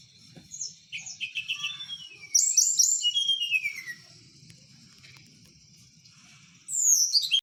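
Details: Tledekan, a blue flycatcher from Merapi, heard at night while kept by its owner: soft high whistles build into a loud, rich, warbling burst with descending slurs, then a pause and a final falling whistle, over a low background hum.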